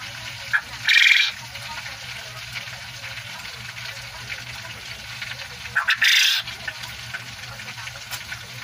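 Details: A male quail in the Philippines gives two loud, harsh calls about five seconds apart, each opened by a brief soft note, over a quiet steady background hum.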